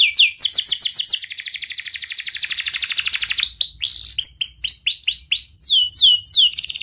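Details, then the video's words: Loud canary song aimed at making quiet canaries sing: falling whistles, a sustained fast trill for two seconds, then varied chirps, repeated descending notes and a closing trill. "KENARI GACOR Suara Tajam Cuit Cuit ngeroL TERAMPUH untuk Pancingan kenari MALAS dan BISU cepat BUNYI"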